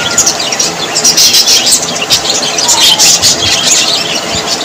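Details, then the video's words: Budgies, known as Australian parrots, sound cheerful in quick, high twittering chirps and short squeaks crowding over one another in a lively, unbroken chorus. "Australian parrots voice ☺️ Parrots very happy 😊"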